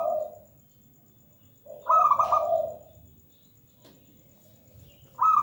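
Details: Perkutut, or zebra dove, giving one soft rolling cooing phrase that drops into a lower hum, then a quiet pause before the next phrase begins.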